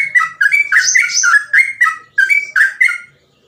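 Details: Rapid ropel song of a yellow-vented bulbul in full voice: a run of rich, gurgling whistled phrases, each rising then dipping, in quick bursts with short pauses, ending abruptly.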